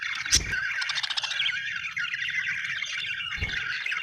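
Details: Budgerigar from Australia chirping: a dense, continuous warble of scratchy chatter and rapid trills, with two low thumps and a faint background rumble.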